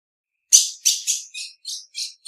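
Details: Female ultramarine grosbeak giving short high chip calls, a loud sharp first note followed by five softer, slightly lower notes spaced about a third of a second apart, in clean silence.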